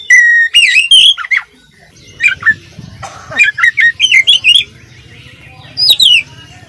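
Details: Energetic oriental magpie-robin tutoring song: a loud opening whistle, then quick twisting whistled phrases and sharp chirps, with a low hum underneath.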